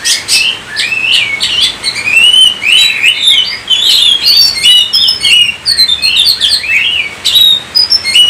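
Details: Energetic Oriental magpie-robin song with sharp rasping opening notes followed by fluty whistled slurs and rapid chirps, a varied unbroken stream.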